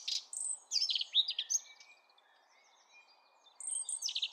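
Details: Eurasian blackcap singing: rapid bursts of varied, warbling and whistled notes in two loud phrases separated by a quieter pause, with a faint low hum beneath.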